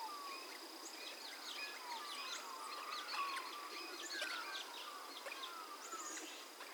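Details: Australian magpies at Minimay in a conservation reserve, Australia, recorded in January, sunrise: rich, overlapping carolling warbles and fluting slides, with other birds chirping and a steady high insect drone behind.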